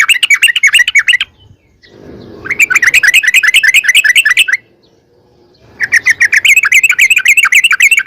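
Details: Sooty-headed bulbul giving long rapid-fire song to provoke rival bulbuls into singing; three extended runs of fast, repeated chirping notes, bright and slightly buzzy, with short silent gaps between runs.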